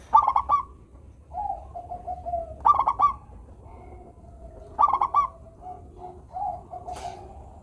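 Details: Zebra dove of a local strain, singing often with a sweet voice to lure lazy doves into song; three stuttered note bursts, each trailing into a wavering lower cooing trill, roughly every two seconds.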